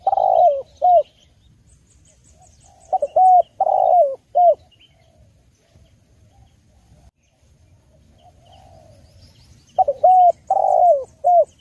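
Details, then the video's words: Female spotted dove (tekukur) calling, a clear call used for luring birds: three cooing phrases a few seconds apart, each of brief hoots and a longer falling coo, with faint high twittering in the background. "Masteran Burung Tekukur / Derkuku dengan Suara Jernih Cocok juga untuk Pikat"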